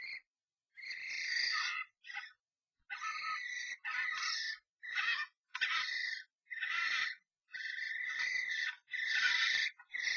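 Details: Common starlings in a violent fight inside a nest box, an intruder against the resident pair; dense, grating, screeching calls in long ragged bursts with brief pauses, some clicking and scuffling between them.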